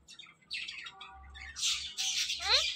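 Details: Pet talking parrot letting out harsh raspy squawks and a downward-bending harmonic call, with softer chatter before and a low hum beneath.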